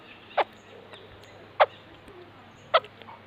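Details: Three separate harsh, short clucking notes from a white-crested laughingthrush, about one per second, with a quiet low background hum.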